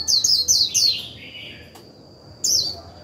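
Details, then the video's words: Líu song of a decoy white-eye meant to provoke a newly caught bird: three quick bursts of high, sweeping chirps, a short silence, then another bright burst, with a steady thin high tone throughout. "Khuyên mồi líu vừa phải kích bổi líu ngay!"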